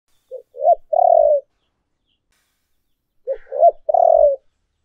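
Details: Spotted dove cooing on a lure recording of urging and calling coos: two mellow, low phrases, each two short rising notes followed by a long, drawn-out, slightly falling coo, separated by about two seconds of silence.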